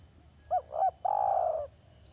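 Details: Spotted dove cooing as a trapping lure, one phrase of two quick soft notes before a longer rolling coo, steady low background hum.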